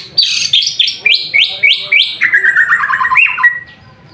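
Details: White-rumped shama singing vigorously while bathing in the afternoon: loud clear whistled phrases, a run of rising slurred notes repeated about every quarter second, then a quick descending series of sweet whistles ending on a sustained note.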